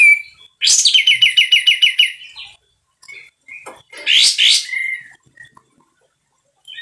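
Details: Sooty-headed bulbul delivering loud, harsh song: a rapid pulsed trill of about one and a half seconds, then short whistles and a loud rasping double burst ending in a falling whistle.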